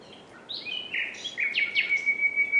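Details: Short common nightingale phrase: brief chirps and a rasping note give way to a long even whistle throbbing with pulses.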